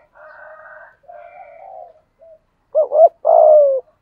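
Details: Spotted dove used as a lure bird, in the deep-voiced local style, giving a short rising-and-falling double coo followed by a longer slurred coo near the end. Fainter broad tonal sounds come first.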